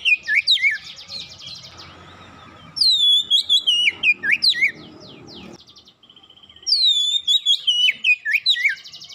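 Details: Oriental magpie-robin singing fast and vigorously after a single lure, giving bursts of loud whistled phrases that slide down from high notes into quick warbled twists, separated by a softer pulsing buzzy trill and brief pauses.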